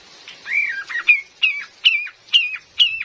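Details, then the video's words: Female cream-vented bulbul, used as a lure to trap the species in forest: a long wavering whistle followed by a regular series of sharp, downslurred notes, about two per second. "SUARA ASLI KAPAS TEMBAK BETINA"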